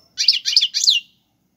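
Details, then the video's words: European goldfinch giving Algerian-style serfati and tiwawati galoubi song for tutoring chicks: three quick, harsh, buzzy chattering notes in a row, each slightly falling. "حسون تيواواطي قالوبي + سرفاتي , تغريد اكثر من رائع"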